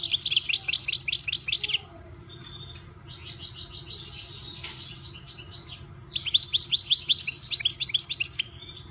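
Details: European goldfinch, a kept bird, singing loud bursts of rapid, buzzy, tinkling high notes, each run of fast repeated elements lasting about two seconds, separated by a quieter stretch of softer twittering, with a steady low hum behind.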